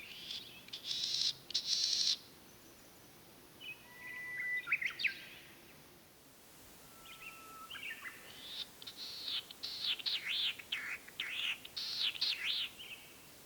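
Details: Latham's snipe in the Senjogahara wetland of Oku-Nikko, Japan, recorded 9 May 2020 during the spring breeding season: harsh buzzy bursts and slurred notes, then after a quiet spell a long series of rasping arched calls.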